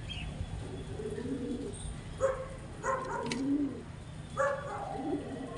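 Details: Domestic pigeons during mating, described as pairing on rooftops or branches in an urban setting; low soft cooing phrases, several rolling coos spread across the clip, with faint background hiss.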